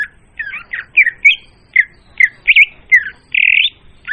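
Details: Oriental magpie-robin song used as a lure for trapping, clear and loud: a string of varied short whistled and chirped phrases, roughly four a second, ending in a longer buzzy note, in a quiet background.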